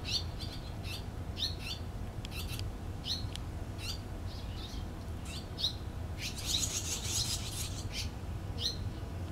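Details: Barn swallow chicks in the nest being raised by their parents, recorded on 6 June 2013: repeated high, short chirping bursts, with a denser, louder chorus of calls near the end, over steady low background rumble.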